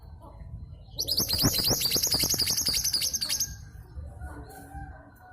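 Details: Local female long-tailed sibia from East Java, kept to set off quiet males: a long, fast, chattering series of bright rising notes running over two seconds, with faint low background hum.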